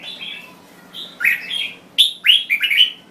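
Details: Short burst of song from a Thai-type red-whiskered bulbul: a soft opening whistle, then loud, rich slurred phrases bunched tightly together near the end, over a low background hum.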